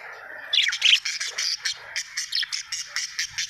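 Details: Happy budgerigar chirping steadily, a string of short, sharp, high chirps and scratchy warbles repeated several times a second with little pause.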